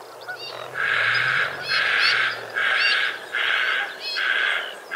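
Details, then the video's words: White-faced heron in Australia, recorded 2 January 2019: harsh, rasping croaks in broad bursts, repeated about once per second, with a faint low hum underneath. "澳洲的白臉鷺White faced heron"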